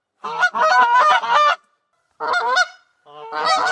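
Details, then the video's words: Goose calling with a harsh, rough honking run lasting over a second, followed by two shorter grating honk bursts after brief pauses; no background noise. "SOM DE GANSO"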